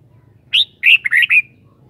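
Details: Kept red-whiskered bulbul singing one short, quick phrase of four bright, slurred whistled notes, the first rising and the last trailing off, over a faint low hum.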